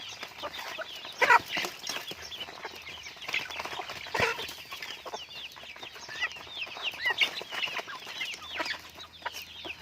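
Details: Pet chickens chatter with constant high peeps from many birds at once, interrupted by a few sharp knocks and rustling bursts, and a low hum toward the end.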